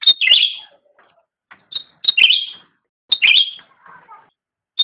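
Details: Cucak rante in full, persistent song, recorded as a master for training pet songbirds: three loud bursts of high, clipped notes sliding into rich warbles, each followed by a softer, lower buzzy chatter.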